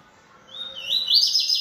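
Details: Caged Yellow-bellied Seedeater, described as bold and singing a lot. A thin whistled note slides upward, then runs into a bright rapid trilled phrase of repeated rising and falling notes that gets louder toward the end.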